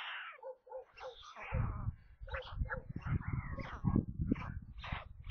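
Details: Nestling white storks near Kaluga in central Russia during the 27 May midday feeding, filmed by a nest camera: harsh, rasping, caw-like cries and short nasal mews crowd together over heavy low-pitched bumping.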